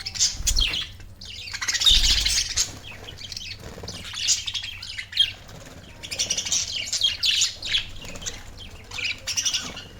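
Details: Pet budgerigars chirp and chatter in a busy stream of high, scratchy warbles and squawks.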